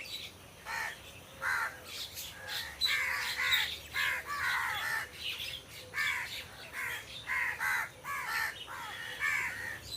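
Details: Crows in trees cawing in a busy, overlapping stream of rough, nasal calls, about a dozen or more in ten seconds, some clustered closely together, with faint chirps behind.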